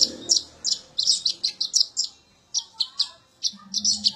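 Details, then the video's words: Konin or kolibri ninja sunbird singing as training material for magpie-robins: a lively series of high, piercing chip notes in quick bursts, with brief pauses between groups. "KONIN ATAU KOLIBRI NINJA ISIAN BURUNG KACER"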